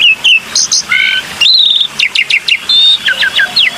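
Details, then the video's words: Black-winged myna used as a lure: crisp falling whistles repeated in quick sets, buzzy trills and short flat whistled notes, clear and loud. "SUARA BURUNG JALAK PUTIH"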